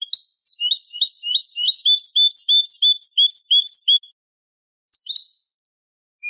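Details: Eurasian goldfinch song on a "Manolo" Malaga-style teaching tape for young goldfinches and hybrids: a rapid, rhythmic run of high repeated twittering notes for about three seconds, then two isolated short chirps.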